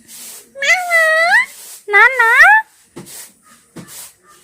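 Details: Pet talking parrot indoors, imitating speech: two drawn-out, wavering, harmonic voice-like phrases each about a second long, followed by a few short soft clicks and breaths in a quiet room.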